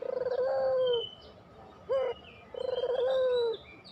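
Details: Puter pelung spotted dove in a lure recording meant to draw lazy doves into singing: a long low vibrato-started coo, a brief upturned note, then another long coo, with high bird whistles faintly behind.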